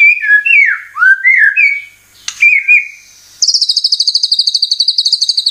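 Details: Lure song of a white-rumped shama for stirring caged birds to sing: rich, slurred whistles rising and falling, a brief click, then a fast high trill of crisp repeated notes.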